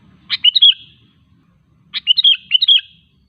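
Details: Lure song of a sooty-headed bulbul meant to provoke other bulbuls to sing: two bright, bubbly phrases of quick warbled notes about one and a half seconds apart, with a faint low rumble underneath.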